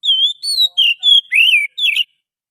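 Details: Wild Oriental magpie-robin singing, a recording used to lure others of its kind: a short run of six loud, pure whistles, steady then dipping, with a swooping rising-falling note and a trilled ending, over a silent background.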